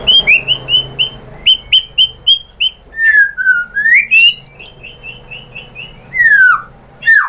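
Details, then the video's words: White-rumped shama song used as a lure to provoke other birds into singing: clear whistled notes repeated in quick series, then a gliding slurred phrase and a falling whistle, with faint low hum behind. "SUARA MURAI BATU AMPUH ‼️ bikin NYAUT GACOR BONGKAR MATERI ISIAN ¦ PANCINGAN MURAI ¦ SHAMA BIRD"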